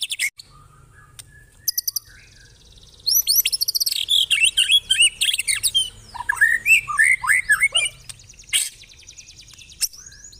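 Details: Cililin-style song of a white-rumped shama with long rough chatter: after scattered high chips, a varied stretch of hooked, rising and falling whistles mixed with rapid rattling notes runs for several seconds, then sparse high notes.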